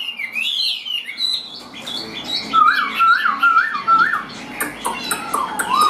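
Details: Tame caged Chinese hwamei, a bird that sings while carried on the hand, delivering loud whistled song: slurred rising and falling phrases, then a run of four repeated looping whistles, ending in bright upslurred notes.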